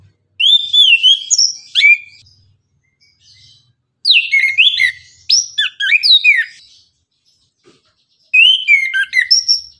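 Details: Orange-headed thrush singing energetic 'tembakan' style song in the morning: bursts of loud whistled and slurred notes, sharply rising and falling, delivered in three dense phrases separated by short pauses, with clean background.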